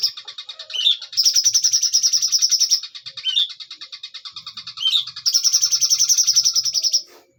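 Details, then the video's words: Long singing bursts from a bulbul called cucak cungkok locally: loud, fast, high chattering trills of one to two seconds alternate with softer pulsed passages and short upslurred whistles, ending abruptly. "cucak cungkok nembak panjang"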